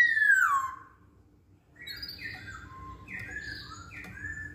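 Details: Masked laughingthrush song meant to coax other songbirds into singing: opens with a loud descending whistle, a pause, then a series of short clear whistled phrases, some stepping down in pitch, over a faint hum.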